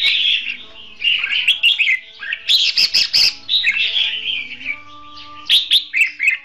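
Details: Caged red-whiskered bulbul used as a decoy for trapping in Vietnam, singing in competitive song style: bright warbled phrases with rapid chirps and short repeated notes, along with a steady low hum.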